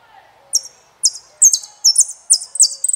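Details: Jilguero, the saffron finch of Argentina, gives loud, high, doubled chirps roughly every half second, closing with a quick burst of rapid ticking notes.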